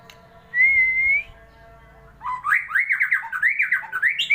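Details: Magpie-robin: a single long, steady, slightly rising pure whistle, then after a pause a rich, rapid warbling phrase of swooping up-and-down notes that carries on to the end.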